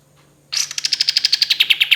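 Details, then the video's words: Kapas tembak, a bird in full song on a long training recording, gives a fast, even series of about sixteen sharp, high chipping notes after a half-second pause, each note clipped and bright, with a faint low steady hum underneath. "KAPAS TEMBAK GACOR SUARA DAN TEMBAKAN MEWAH"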